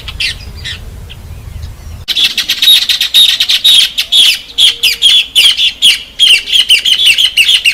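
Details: Harsh chattering song of a Rufous Cacholote from northeastern Brazil: after two quiet seconds of soft, faint notes, a loud burst of rapid, raspy, squawking syllables breaks out and continues in irregular, pulsing runs.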